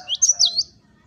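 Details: Java sparrow, known locally as gelatik batu, gives a brief run of four high, bending whistled notes swooping up and down, with faint low background sound.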